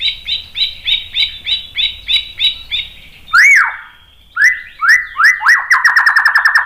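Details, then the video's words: White-rumped shama singing to provoke others: a steady series of about a dozen short doubled notes, then loud rising whistled swoops speeding into a fast rattling trill. "SUARA MURAI BATU Untuk Memancing EMOSI jadi NYAUT GACOR BONGKAR MATERI ISIAN"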